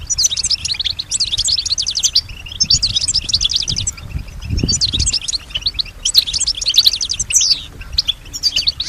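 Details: Female pet European goldfinch, credited with imitating surrounding sounds, repeats dense bursts of rapid, high twittering about every second or two, with short pauses and a low muffled thump in the background.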